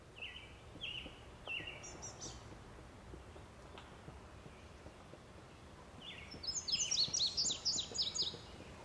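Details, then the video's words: Immature barn swallow at River Bend Nature Center, Racine, Wisconsin, 29 June 2012: a few short, separated chirps early on, then a rapid burst of high twittering notes near the end over steady background hiss. "Barn Swallow (immature)"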